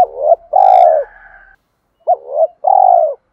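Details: Spotted dove challenge call, cooing to provoke rival doves: two arched hollow coos, then a longer rolling, burred coo, a pause, and the same phrase again. The sequence ends in silence, with no other sounds.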